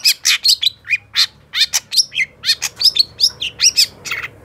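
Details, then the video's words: Vigorous gacor song of a long-tailed shrike (cendet pentet): a continuous rapid string of loud, harsh, chattering notes mixed with short slurred whistles, roughly four to five notes per second, against a faint low hum. "Suara Cendet Pentet Gacor DOR"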